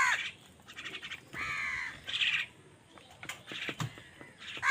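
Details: Angry crow fighting other wild birds for food, giving harsh, hoarse caws in short bursts, three main calls over a few seconds, mixed with brief chirps and rustling from the other birds.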